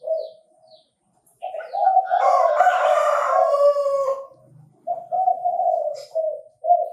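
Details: A Chinese francolin recorded in a bird-trapping context starts with short notes, then gives a long, loud, raspy call, followed by several clipped harsh syllables.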